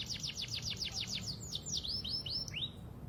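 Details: Pied canary singing lure song for young birds: about ten rapid down-slurred notes in a slowing series, then several upward-looping whistles, with a low hum beneath.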